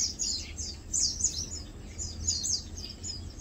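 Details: Lowland White-eyes (Zosterops meyeni) chilling, feeding and preening together; very high, thin chips and short twittering notes come in loose bursts of two or three, with soft low background rumble underneath.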